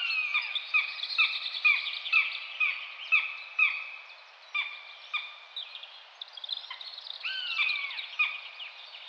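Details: Common buzzard (Buteo buteo) giving a run of short, clipped call notes about twice a second, then a longer falling mewing whistle near the end, with softer overlapping chatter in the background.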